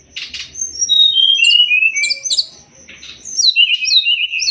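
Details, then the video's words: Sumatran leafbird singing a master song for songbird training: a descending series of clear whistled slurs, then a lively burst of chirps and upswept whistles, with a steady high tone in the background. "Masteran burung SRDC biar cepat gacor"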